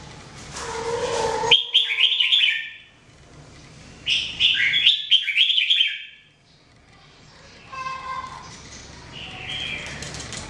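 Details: Red-whiskered bulbul in daily song training: two loud bursts of rapid warbled whistled notes separated by quieter gaps, with a low steady hum and a faint lower tonal sound in the background.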